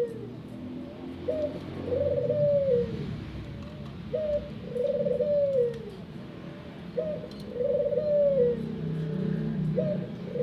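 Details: Captive ringneck dove in a small aviary giving soft, arched coos, each a short note followed by a longer rolling coo, repeated about every three seconds, with faint chirps of other birds in the background.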